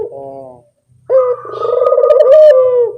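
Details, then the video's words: Turtle dove lure call: a soft, low phrase, a brief silence, then a loud, sharply started coo that rolls on as a buzzy, vibrating purr. "suara pancingan burung puter yang anggun"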